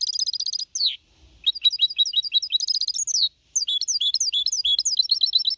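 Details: Four-and-a-half-month-old goldfinch hybrid singing Copia Malaga song, 2021, to motivate other birds; lively continuous high twittering mixing buzzy trills and sweeping slurred notes, with two short breaks.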